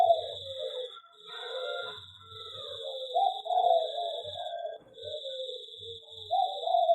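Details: Caged zebra dove in an aviary delivering soft, low rolling coos in several phrases, with a faint higher chirp near the start and a persistent high whine.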